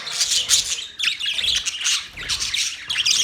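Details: Loud parrot squawking and chirping in three or four clustered bursts separated by short gaps, the notes harsh and buzzy with a few cleaner whistled tones.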